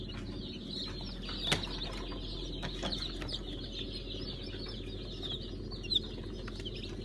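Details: Newly hatched Brahma chicks in a hatchery on 5 August 2019, during Kurban Bayramı: a soft, continuous chorus of high peeps with a few louder chirps standing out, over a steady low machine hum.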